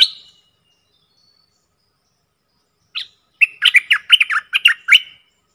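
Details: Bulbul decoy calls, four decoy birds recorded in real forest: a brief sharp note, then after a pause another, followed by a rapid run of about ten chattering, warbled notes in a quick burst, no other sounds.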